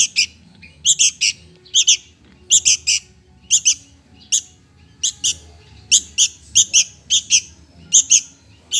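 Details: Begging sooty-headed bulbul nestling asking for food, giving a steady run of scratchy, high rasping chirps, mostly doubled, repeated roughly every half second to second throughout, with a quiet low rumble behind.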